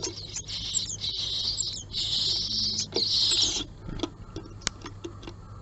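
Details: Japanese tits at a nest box, 20 March 2022 morning, female visiting the resident male and being chased out after a squabble; loud buzzy, harsh high chatter in long bursts, then sparse sharp clicks and ticks.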